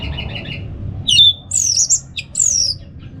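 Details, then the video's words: Orange-headed thrush giving a brief ngeplong phrase: a soft warble, a loud pure whistle, then sweeping high slurred notes and short sharp chips. "$uara ANIS MERAH Ngeplong Santai"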